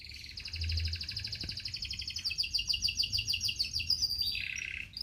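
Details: Canary song: a long, fast rolling trill of high pulsed notes repeated several times a second, sliding to a lower buzzy tour near the end, over faint low background rumble.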